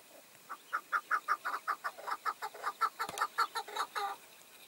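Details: Chukar partridge, a tethered decoy bird used in hunting with five wild males coming in, gives a steady run of short clucking chuck notes, about two per second, mid-pitched and fairly even, with a brief click midway.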